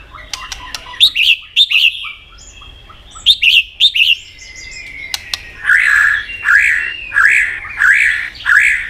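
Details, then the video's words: White-rumped shama in competitive singing: short clusters of bright chirped notes, a thin whistle, then a series of about six buzzy, rich notes repeated roughly every 0.6 seconds. "chòe lửa hót nhiều giọng nết búng cầu.kích chòe lửa hót đấu đập đuôi căng lửa"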